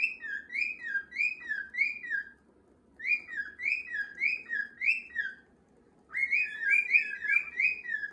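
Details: Cockatiels in a home flock repeat sliding whistled notes at a steady pace, three phrases of five or six notes each with brief quiet gaps between them.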